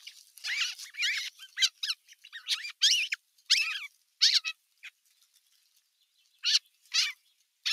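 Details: At nest #1, larger osprey nestlings clash with each other in mid-June 2023 under a parent's watch; harsh, high chirps tumble out in dense runs, then thin to a few spaced bursts.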